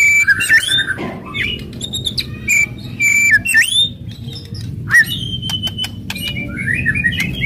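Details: White-rumped shama (murai batu) in an aggressive kretekan and tembakan singing style that provokes rival birds. Sharp rising and falling whistles, brief buzzy chatter and abrupt clicks, spaced irregularly, over a low constant hum.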